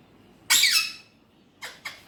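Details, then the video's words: Alexandrine parakeet, natural voice. One loud, piercing, high screech lasts about half a second, followed after a pause by two short raspy squawks. "Alexandrine Parrot Natural Voice || Mitthu best Talking || Amazing Speaking parrot"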